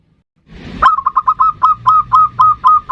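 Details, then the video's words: Local zebra dove giving 'ndudut'-style variation song to lure a rival: after a brief lead-in, one steady run of about twelve ringing, hooked notes, evenly spaced. "Perkutut Lokal GACOR suara VARIASI NDUDUT Ampuh memanggil Lawan EMOSI MANGGUNG PANCINGAN PERKUTUT"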